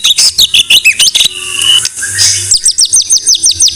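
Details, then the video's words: Loud, varied white-rumped shama song: chattering chips and whistles, then a long thin whistle, followed by a fast regular series of high downslurred notes, about two per second, with a faint low hum beneath. "Masteran MURAI BATU No.1"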